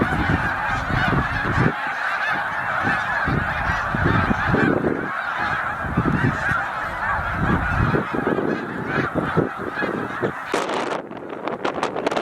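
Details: Migrating snow geese, a flock near 100,000 at Middle Creek Wildlife Refuge heading to tundra breeding grounds: a roaring mass of honking calls with rushing wing noise, easing slightly in the last two seconds.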